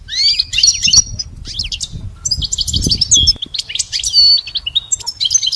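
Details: Goldfinch kept as a pet for song lessons, delivering quick tinkling twitters and short rising whistles in separate phrases, interspersed with brief gaps and a soft low rumble.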